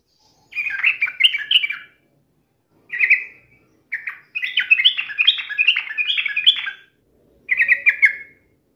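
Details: Yellow-vented bulbul in a challenging song aimed at a rival: lively warbled phrases, then a long continuous run of rapid, bouncing liquid notes and a final short flourish.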